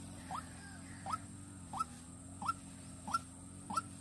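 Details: Decoy white-breasted waterhen, Vĩnh Long, calling to lure. Six short notes that swoop upward, repeated at a steady clip of about one every 0.65 seconds over a faint droning background.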